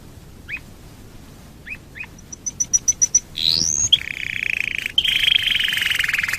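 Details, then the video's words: Canary song used to get other canaries singing: scattered soft chips, a run of high repeated pips, a rising whistle, then a sustained buzzy trill held to the close. "Pancingan burung kenari super ampuh"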